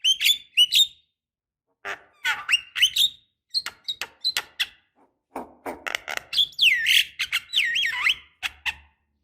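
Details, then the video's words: Javan myna calling as a lure meant to stir silent birds into singing, described as a female calling a male: a jumble of squeaky chirps, clicks and sliding whistled notes in short bursts. "Pancingan Jalak Kebo Malas Bunyi Paling Ampuh, Dengar Suara Khas Jalak Kebo Gacor Auto Emosi"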